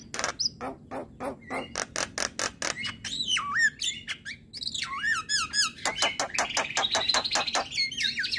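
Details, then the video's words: Male jalak kebo (Javan myna) song for training other birds: a regular train of clicking notes, then swooping whistles and harsh squeaky phrases. "Burung Jalak Apapun LAngsung Emosi Dengar Suara Jalak Kebo Jantan"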